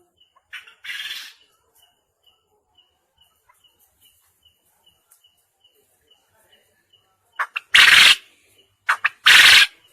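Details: Quail calls from a recording meant to train quails for contests. One harsh phrase comes early, then silence broken by regular faint ticking. Two loud, rasping bursts with short lead-in notes follow near the end.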